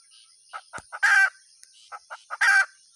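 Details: Hen giving two cackle phrases: three or four soft clipped clucks, then a loud grating squawk each time, with one sharp click and a thin steady background whine.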